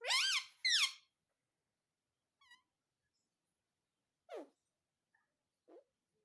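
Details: Parrot saying "mummy": two loud arching, nasal syllables back to back, followed by faint scattered notes and short descending squeaks with long silences.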